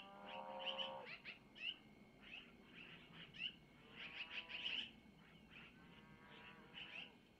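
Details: Young long-eared owls being fed by the mother, who takes food from the male, at a nest near Missoula at about 05:05 on 25 April 2024; scattered high chirp bursts mixed with lower, harmonic, wavering calls.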